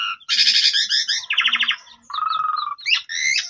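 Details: A Javan pied starling's song, used as a lure to get other starlings singing: a fast, varied run of squeaky chatter, a buzzy rattling burst, nasal repeated notes, then rising whistles, all loud and close.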